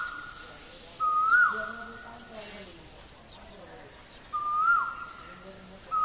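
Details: Loud, clear calls of a male Asian koel at Guwahati, Assam, India: upward-swooping whistles cut off by a quick fall, repeated about every three seconds, with a faint low murmur between calls.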